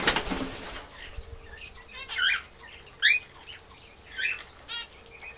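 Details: Zebra finches feeding on millet in a garden aviary, with a brief stand-off between two males; short nasal buzzy calls scattered through, after loud fluttering of wings at the start.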